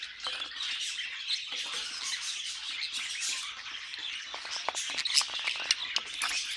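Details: Chattering budgies, a soft, continuous high warble dotted with quick clicks and squeaks, turning busier and more staccato toward the end.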